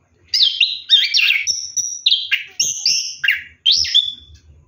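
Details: Orange-headed thrush singing during a night bath: rapid string of clear whistled phrases, many sliding down then up, delivered in quick bursts with brief gaps.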